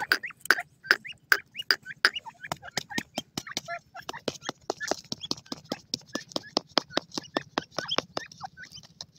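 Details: Grey francolin, a Canadian grey teetar, gives a long steady series of sharp, harsh notes, over two per second, lasting about nine seconds. Constant chirping of other small birds runs beneath.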